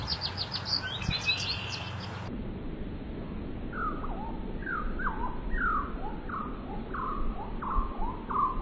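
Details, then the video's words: Bird calls with a brief burst of high chirps at first, then a run of clear whistled notes that slur sharply downward, repeated about once a second over a steady background hiss. "listening to bird sound"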